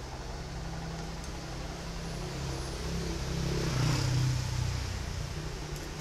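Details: A vehicle engine drones and swells as it revs, with a low humming rumble throughout and no animal sound heard.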